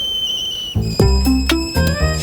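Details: A young sulphur-crested cockatoo, found on a golf course after a 20 m fall from its nest with a suspected broken leg, gives a thin, steady, high whistle like a boiling kettle, under a second long.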